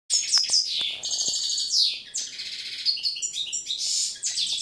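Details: One of a pair of hand-reared, ringed European goldfinches (Carduelis carduelis) trained to clean song sings a quick, tinkling, almost unbroken run of bright twitters, buzzy trills and liquid notes.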